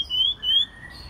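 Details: White-rumped shama in its first molt, singing on a quiet evening: two clear, slightly rising whistled notes in quick succession, then a fainter lower tone.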